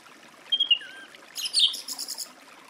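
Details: Song thrush producing a thin whistle and a lower, falling note, then a loud, scratchy, high-pitched chattering burst; soft trickling noise behind.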